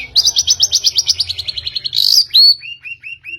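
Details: Long-tailed shrike lure song for prompting a bird to sing: a rapid even trill of high notes rising into a harsh burst, then a sharp whistle and several short downslurred notes.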